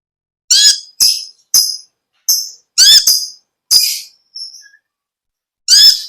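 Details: Olive-backed sunbird, known locally as konin or kolibri ninja, singing vigorously in natural voice: separate sharp, high chipping bursts with downward-sweeping tones, about eight phrases spaced irregularly over six seconds with silent gaps between.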